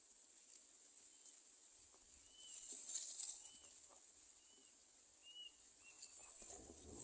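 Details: Greater coucal chicks in the nest begging for food from their mother with faint, high, slurred chirps repeated roughly once a second, over a constant high hiss and soft rustling.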